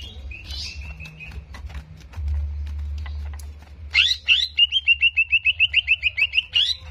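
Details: Greater green leafbird song played to provoke aggression: after faint whistles, a loud burst of sharp notes opens a fast run of about fifteen rapid, evenly repeated chirping notes, with a low steady hum beneath.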